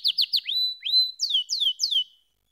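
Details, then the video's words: Canary song phrase: three quick descending chirps, then long rising whistled glides, followed by four sweeping downslurred notes fading out; clear and isolated. "Canary SINGING Like a Pro with Proven Tone Techniques!"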